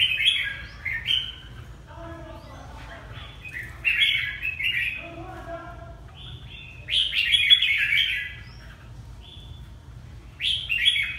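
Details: A Hà Tĩnh red-whiskered bulbul in Vietnam delivers bright, rollicking whistled phrases separated by short gaps of a few seconds. Softer, lower warbling notes fill the pauses, with a constant low hum beneath.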